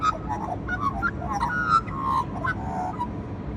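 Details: Australian magpie (Gymnorhina tibicen), call.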